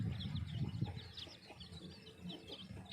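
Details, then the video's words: Chicks of a brown and black hen peep outdoors while being fed, giving quick high chirps in a busy stream, with low clucking and scuffling noises underneath. "chicks chirping sound"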